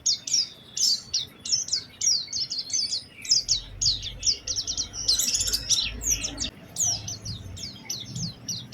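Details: Oriental white-eye singing to lure other white-eyes: sharp, high chip-like notes repeated in quick series, then denser bursts of rapid twittering, with a low rumble of background noise.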